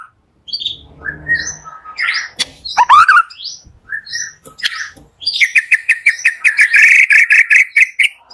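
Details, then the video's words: White-rumped shama in morning song to provoke shamas that rarely sing: varied whistles and sharp downslurred notes, then a long fast run of rhythmic repeated chirps that grows louder toward the end. "PALING EFEKTIF DI PAGI HARI UNTUK PANCINGAN MURAI MALAS BUNYI"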